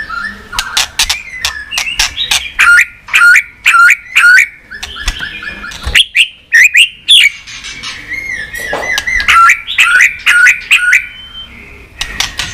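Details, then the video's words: Many-voiced White-rumped shama song used to train and excite birds: short whistled phrases that dip and rise, repeated about every half second, mixed with sharp clicks and snaps across twelve seconds. "Chòe Lửa Hót Nhiều Giọng"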